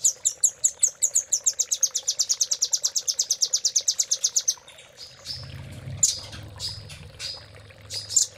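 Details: Master song of the velvet-fronted nuthatch, Cililin fill style: a long, even trill of high, sharp chips speeding up over four seconds, then a hush broken by scattered piercing notes and a low rumble.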